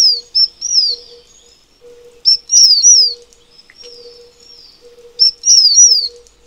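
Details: Taiwan fulvetta: loud, high whistles swooping downward in pairs, then a level thin trill, the phrase repeating about every three seconds over a faint intermittent low hum.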